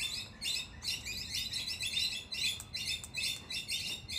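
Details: Australian king parrots, males and females in a power struggle at a doorway: harsh, scratchy chattering bursts, rapidly repeated in uneven bouts of roughly two a second, with faint low background hum.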